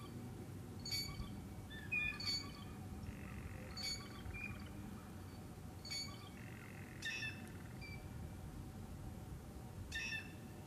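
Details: A blue jay at Lyker's Pond gives about six harsh, nasal jeer calls spaced one to three seconds apart, over a low background rumble and a steady faint hum; blue jay.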